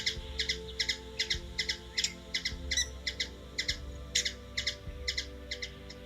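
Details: Series of short sharp twin chips from a hummingbird in Washington DC, USA, repeated about two and a half times a second, one brief higher squeak, low hum beneath.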